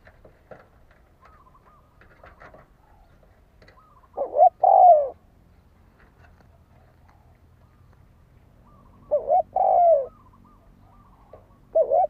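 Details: Spotted dove giving fighting-style coos used as a lure to provoke rivals: two low, hollow two-part phrases, a short note then a longer falling coo, about five seconds apart, with faint murmuring between them.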